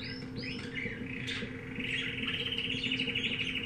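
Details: Singing canary of unidentified type, a few sliding whistles then a fast, evenly pulsed rolling trill, steady low hum underneath.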